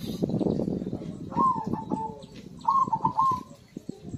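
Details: Zebra dove (perkutut) in lively song, used to prompt silent birds to sing: two short rolling, staccato cooing phrases of rapid pulses at a steady mid pitch, over a dense, low rumbling background.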